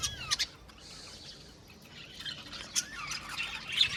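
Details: Budgerigars, a group of Australian parakeets in an aviary colony, chattering with many overlapping high warbled chirps, squawks and rising whistled notes, with brief quieter gaps between bursts.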